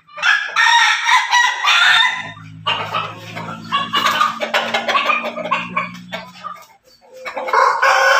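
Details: A backyard-raised crossbred rooster (Pelung, Bangkok and ketawa breeds) gives a short, harsh crow, then a long, drawn-out crow of about four seconds with a low droning undertone, and starts another at the end.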